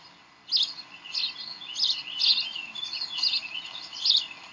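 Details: Decorah bald eagles, 18 May 2012, evening tug-of-war at the nest: after half a second of quiet, a string of high, rapid chittering chirps in rough bursts about every half second.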